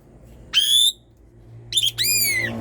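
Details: Asian pied starling (jalak suren) giving loud, drawn-out whistles to spur reluctant birds to sing: a long steady whistle, a pause, then a short trill and a falling whistle with hum behind.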